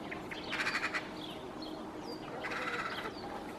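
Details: A Eurasian magpie perched high in a treetop in Helsinki, Finland, in January 2024 gives two short bursts of harsh, rattling chatter about two seconds apart, with thin whistled notes between them, over a faint outdoor hiss.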